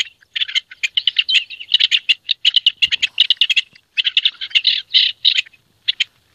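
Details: Rock partridge singing in courtship in Italy's C.A.CN5 hunting district: dense bursts of harsh, scratchy chattering notes in rapid repeated phrases with brief pauses, no other clear sounds.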